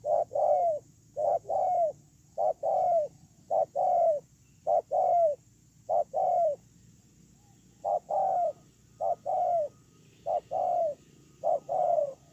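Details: Decoy spotted dove on the ground, recorded 8/10/2018, keeping up a long bout of paired coos, short then longer and falling, around ten pairs at an even pace, over a low hum.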